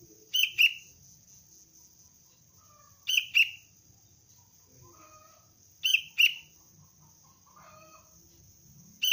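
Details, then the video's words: Young sooty-headed bulbul in basic training as a cengkram-style lure bird gives sharp, high chirps, mostly in quick pairs, about every three seconds, with a steady thin high whine behind. "Anak kutilang pelatihan dasar untuk pikat Cengkram"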